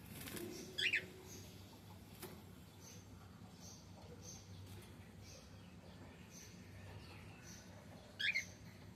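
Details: Male cockatiel heard in a quiet indoor setting, giving two brief, sharp, warbled chirps near the start and end with soft noise in between.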